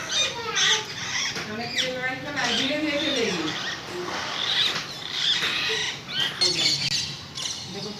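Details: A parrot gives chattering, squeaky calls mixed with lower wavering tones that rise and fall, almost voice-like, loud and continuous throughout.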